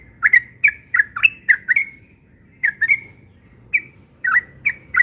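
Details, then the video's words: Yellow-vented bulbul singing in the morning: bubbly, liquid notes around the middle pitch, each swooping up then down, given in a quick run of six, a pause, then shorter bursts; faint low background hum. "Burung Trucukan Ropel pagi NGOTOT"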